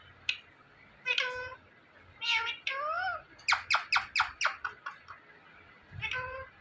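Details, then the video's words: Captive Indian ringneck parakeet talking: scattered harmonic word-like phrases, one gliding upward, then a burst of about seven rapid clipped syllables and a final short phrase. "Indian Ringneck Parrot Talking Videos"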